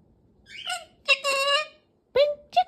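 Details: Pet galah imitating human speech indoors: a few short, harsh, voice-like syllables with a raspy tone, then two abrupt squawky notes; a person speaks to the bird just afterwards.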